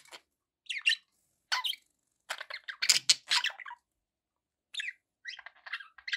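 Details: Domestic budgerigars chattering in separated bursts of scratchy squeaks and warbles, some harsh squawks, with gaps of silence between phrases.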